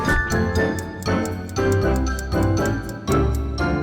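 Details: Bright, jingly background music with bell-like tones and a steady beat, and no animal voice anywhere.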